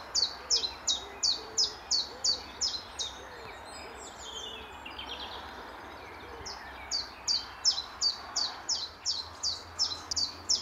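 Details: Chiffchaff singing early morning in March 2014 at Standalone Farm, Letchworth, while flicking about and preening: bright, high notes, about three per second, pausing midway then resuming, with soft calls from other birds behind.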